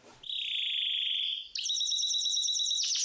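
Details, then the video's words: ['Spanish Timbrado canary, said to be wild, delivering a long, smooth, metallic rolling trill that holds a steady pitch, then switches to a brighter, higher, ringing roll, with no other sounds.'] "Wild Spanish Timbrado Canarie singing."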